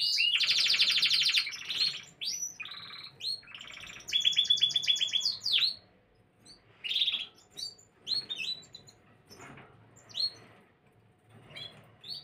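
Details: A Gloster canary delivers a loud opening burst of dense, buzzy trills and whistled phrases, then softer, separated chirps and short twitters with growing pauses toward the end.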